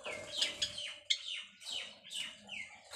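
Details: Mating call of white Java sparrows during nest building: quick high chirps with downward-sliding notes in irregular bursts, over a low steady hum and faint rustling.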